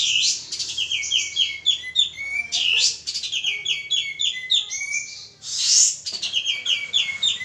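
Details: Male pied triller singing hard as a lure, with clusters of fast, high, falling chirps and drawn-out whistled notes, punctuated by loud raspy sweeps and a strong hissing burst near the end.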